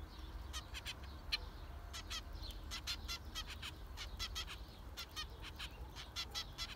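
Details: A group of zebra finches keeps up steady nasal beeping calls, short harmonic notes repeated irregularly throughout, with low background hum.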